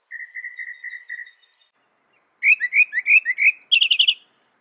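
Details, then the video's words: Mockingbird, a songbird that mimics other birds, insects and amphibians, sings loud, fast phrases: a steady run of repeated whistled notes, then a series of sharp rising chirps, then a quick rapid trill of high notes. "Masteran Burung Kicau Mockingbird Gacor - Mockingbird Bird Sound"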